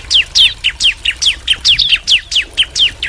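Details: Bar-winged prinia, a female and male calling back and forth in a steady run of quick, downslurred chirps, about two or three each second.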